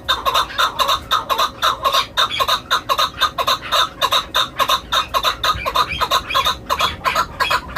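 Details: A chukar kept as a hunting decoy gives a steady run of harsh, clucking chuck notes, roughly one every half second, with a faint background hiss.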